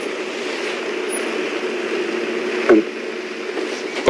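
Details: Engine drone of a safari vehicle hums steadily, broken by a sharp knock near the end and a brief click at the close, with no animal calls.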